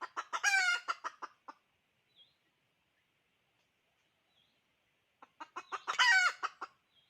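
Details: Chicken giving two loud, harsh, harmonic-rich calls about five seconds apart, each lasting near a second and framed by quick clucks, with near silence and a faint high chirp in between.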